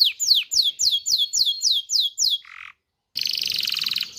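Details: Canary singing to encourage mating in male and female canaries: a quick series of sharp, falling whistled notes, a short buzz, a brief pause, then a rich, rapid rolling trill.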